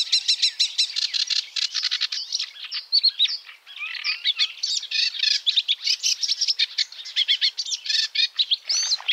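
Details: Continuous Sedge warbler song, opening with fast repeated grating chirps, then shifting into varied squeaky twitters, buzzes and rattling runs that tumble on unbroken, ending with a sharp downward note.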